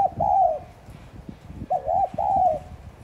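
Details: Spotted dove giving thúc gù coos intended to prompt caged doves to call. Mellow low phrases of short and drawn-out coos, over steady soft tapping and knocking sounds.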